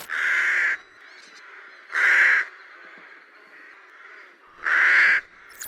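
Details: A rook, a bird seen in Ukrainian towns and parks in autumn and winter, gives three harsh, grating caws, each about half a second long, spaced roughly every two to three seconds over a low background hum.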